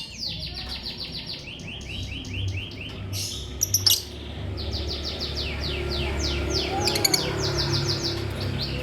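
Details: Lovebird twittering in rapid runs of short, high, downward-sweeping chirps, several per second, broken by a few sharp clicks midway, with a low steady hum underneath.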